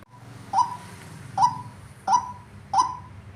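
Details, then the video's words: Tame female white-breasted waterhen calling very frequently: four short, harsh notes, each with a bright onset that quickly settles into a steady mid-pitched tone, spaced under a second apart, over a low steady hum. "Burung ruak ruak betina paling gacor"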